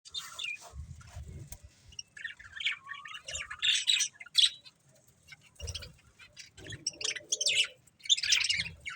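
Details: Budgies eating corn, giving scattered bursts of bright, scratchy chirps and short squawks with brief pauses between, plus low thumps and rustling from the birds moving.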